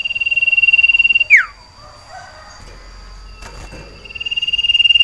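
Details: Caged sirtu iora in breeding condition, calling for a female to mate: a fast, even trill of pulsed whistles, a sharp downward-swooping note, a quiet pause, then the rapid trill resuming.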